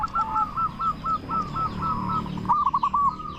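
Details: Local zebra dove, kept as a loud lure bird to make others respond, repeats short clipped coo notes at an even pace, then a quick tumbling run of five notes, against a noisy low rumble.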